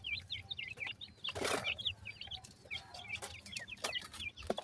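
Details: Baby partridge chicks showing a strange teetering movement: many thin high peeps in quick overlapping bursts, each a short downward slur, with a loud rustling noise burst early on.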